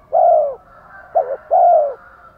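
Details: Spotted doves, male and female, calling to stimulate an untrained male to coo: a long low mellow coo, a short two-part notch, then another long coo, all husky and descending slightly at the end.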